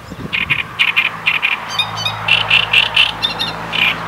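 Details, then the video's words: Great reed warbler singing loudly: loud, harsh, strident notes repeated in pairs and short runs, about two per second, with an uneven, grating, chattering rhythm; a low steady hum runs beneath. "Grote Karekiet"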